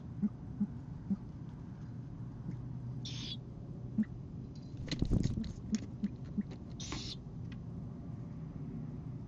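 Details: An Oklahoma City nest cam at 1:09 am on 15 March 2014 records a male Great Horned Owl hooting for his mate before bringing a starling to the nest: soft, deep hoots in loose runs of two or three, with brief scratchy rustles over a steady low hum.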